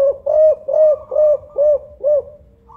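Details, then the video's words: Spotted dove with a loud, five-note call, suited as a lure, giving five deep, rounded coos at a steady, quick pace, each short and even in pitch, in an otherwise quiet room. "Tekukur Songgo Ratu Kuk 5 Sanji Gacor Suara Besar"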